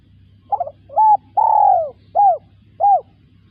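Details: Spotted dove phrase in five parts: a fluttering opening note, a short coo, a long descending coo, then two short evenly spaced coos. A faint steady hum is underneath.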